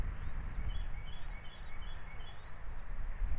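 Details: Bald eagles at a Captiva nest camera, breakfast feeding time for two eaglets, December 22, 2023: thin, high-pitched chirping notes repeated in a loose series throughout, heard over a steady, heavy low wind rumble.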